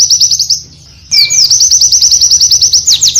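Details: Oriental white-eye in varied master audio: a short high trill, a brief gap, then a long even series of quick, bright, descending notes, roughly fifteen in under two seconds.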